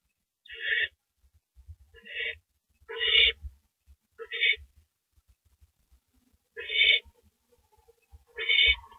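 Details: Owl nest at night, April 6 2012, male delivering a rabbit: six rasping, hissy screeches at irregular intervals, some with a lower harsh undertone, in otherwise quiet surroundings.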